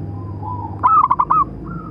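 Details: Local zebra dove, big-voiced calling song meant to train and provoke other doves; a single quick burst of four or five bubbling coos after a soft lead-in, with a low steady hum beneath.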